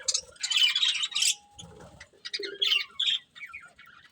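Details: Breeding pair of budgerigars chirping: bursts of bright, scratchy warbled chatter with squawky notes in irregular clusters, quiet gaps between, and a faint low rustle in the background.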